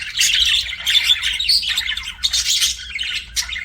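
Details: Continuous budgerigar chirping from pet birds: busy, grating squawks mixed with warbled twitters and bright high chips, sounding like several birds chattering together without a break.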